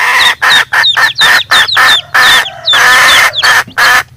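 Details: Chickens calling: loud, coarse, broadband squawks in rapid succession, some long and drawn out, with faint high chick chirps in the short gaps.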